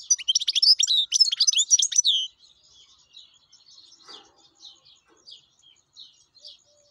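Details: Wild European goldfinch singing a rapid, tinkling run of high, jumbled chirps and twitters for about two seconds, then quieter, scattered soft notes, with a brief low rustle midway.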